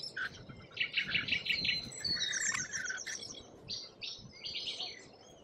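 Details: A group of Australian lorikeets chattering, with quick runs of repeated squeaky notes, scratchy screeches and a few thin whistles over a low rumbling background.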